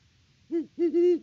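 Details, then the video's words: Great horned owl hooting at the nest on a Kansas farm in October: one short low hoot, a brief gap, then a longer drawn-out double hoot, loud and close. "HootFest @ the Nest!"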